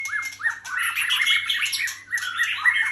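White-rumped Shama in a dense, energetic run of song: quick rising whistles break into harsh, scratchy chatter with barely a pause. A low electrical hum sits underneath.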